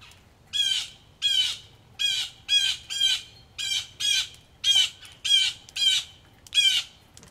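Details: Agitated blue jays at a Missouri farmhouse during rain give about eleven harsh, loud jeer calls in quick succession, roughly every half second, over a faint low background.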